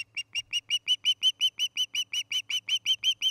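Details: Evening recording from a Montana osprey nest cam at Charlo, August 2018: an osprey gives a quick, regular string of piercing whistled notes, each slightly downslurred, close to three per second, over a soft steady hum.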